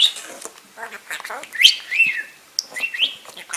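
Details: Pet budgie perched on its owner's shoulder, chattering non-stop while she sorts tumbled peridot gemstones: scratchy warbles and rising whistled slurs with soft clicks and rustling nearby.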